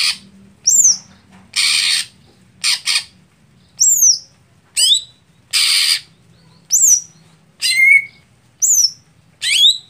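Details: Contest setting for a Greater green leafbird slow to heat up: loud hissing, rasping bursts mixed with clear high whistled notes falling steeply in pitch, delivered about once per second in an uneven series.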